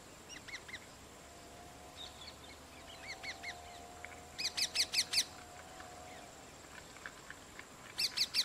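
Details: Rose-ringed parakeets, a parent eating and feeding two chicks: faint scattered chirps give way to a burst of four loud, harsh, rasping notes in quick succession, then another loud cluster near the end. A low hum runs through the background.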